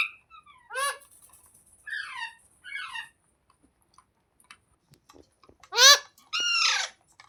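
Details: Green parakeet giving harsh, rasping squawks with stacked harmonics, a few short bursts spaced across the recording, the last two loud and drawn out, with faint clicks and taps between calls indoors.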